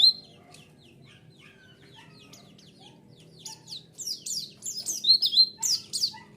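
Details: White-eye lure song played to draw a response: a single sharp high note, a quiet spell, then rapid high twittering phrases of thin, sliding chirps building louder toward the end, with a low hum underneath.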